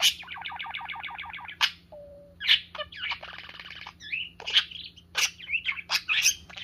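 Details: A parakeet playing with fingers, a sign of love and trust, chatters busily: a fast run of repeated chirps, then a low whistle and a jumble of scratchy warbles and sharp squeaks.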